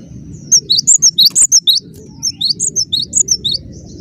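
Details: Cinereous tit giving two tight runs of rapid, piercing high whistled notes, each run about a second and a half, over a faint steady hum.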